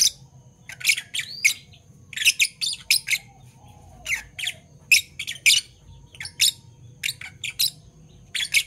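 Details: Morning chirping from two Fischer's lovebirds of parblue violet and parblue turquoise colour: dense, shrill, scratchy notes, sometimes doubled or in quick clusters, repeated about every half second to a second.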